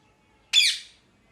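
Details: A parrot gives a single harsh, piercing scream that starts abruptly and fades out over about half a second in a quiet room.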